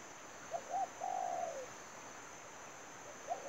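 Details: Decoy spotted dove at a trap gives two short hooting notes and a long soft coo that falls away at the end. A fresh phrase begins near the close, over a constant high hum.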